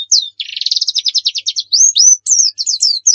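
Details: White-eye 'nembak' song for use as a lure: a buzzy, rapidly pulsing trill, then clear upslurred whistles and quick high chirping phrases.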